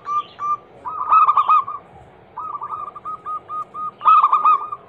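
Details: Zebra dove song played as a lure for other doves: short coo, then a loud warbling coo phrase, a run of evenly spaced soft coos, and a second loud phrase.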